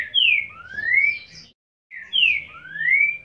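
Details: Trinca-ferro, the green-winged saltator, in boiadeiro-style song. The same strong two-part phrase comes twice: a bright downward-slurred whistle, then a longer rising whistle, with a short pause between the repeats.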